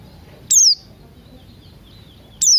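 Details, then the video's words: Two sharp, very high notes sliding steeply downward, nearly two seconds apart, from a Buxton's white-eye singing ngalas style in the morning, with soft low background noise. "Pleci Buxtoni Ngalas Pagi Hari"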